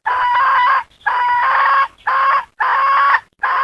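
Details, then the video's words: Domestic hen calling in a series of loud, harsh, nasal bursts, each about half a second to three quarters of a second long, separated by brief pauses, with no other clear sounds. "Suab poj qaib seev dib tuaj zoo heev"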